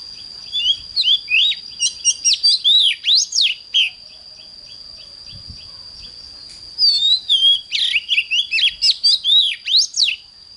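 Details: Oriental magpie-robin singing in the morning in an intense fired-up style, used to train other magpie-robins: two bursts of rapid, varied whistled notes, sweeping up and down, about two per second, separated by a pause, over a steady high insect-like whine.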